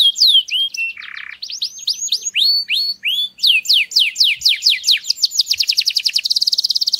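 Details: Male canary singing to stimulate females to mate: fast, varied whistled phrases of rising and falling sweeps, a short buzzy note, then quickening repeated syllables that end in a rapid, even, high trill.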